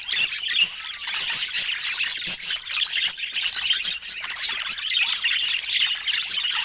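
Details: Budgies kept as pets, several birds chattering together in soft sounds of joy: high warbling twitters and chirps overlapping continuously, with occasional squawks and clicking notes.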